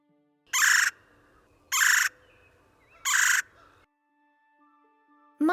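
Red-bellied Woodpecker giving three harsh, rolling churrs, each under half a second, about every 1.3 seconds, over a faint steady hum.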